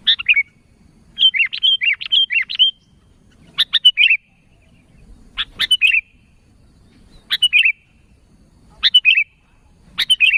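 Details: Sooty-headed bulbul calling to companions: loud, clear bubbly whistled phrases of three or four quick notes, repeated in bursts roughly every one and a half seconds against a silent background.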